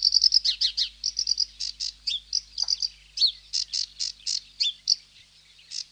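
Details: Sedge warbler delivering lively song that opens with rapid ticking notes, then alternates grating buzzes with brief downslurred whistles, pausing briefly before a final buzz.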